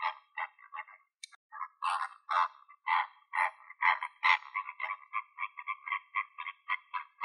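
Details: Flamingos in Greek nature, recorded in the wild: a dense, busy stream of nasal, honking notes, many overlapping, with several birds calling at once and chattering in quick succession.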